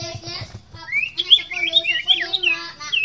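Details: Common iora (sirtu or cipoh) in vigorous 'fighter gacor' singing for a masteran tutor recording: a rising whistle leads into a fast, twisting warble of high, clear notes, with low voice-like hum and faint talk beneath.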